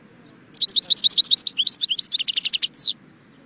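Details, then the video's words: European goldfinch singing a fast, bright twittering run of high chirps, about four notes a second, ending in a buzzy downslurred note; quiet low hum underneath. "saka kuşu (Arnavut Şevket)"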